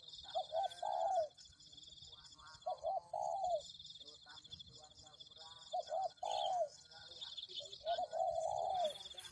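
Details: Spotted dove, locally tekukur, coos as a lure for attracting doves. Four phrases are spaced about two seconds apart, each with quick short notes before a longer descending coo. A steady shrill background tone is heard.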